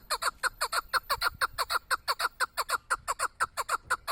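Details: Hunting chukar partridge repeating loud, downward-sliding chuk calls in a tight, regular rhythm of about two per second, full-toned and harsh, with a faint steady high tone behind.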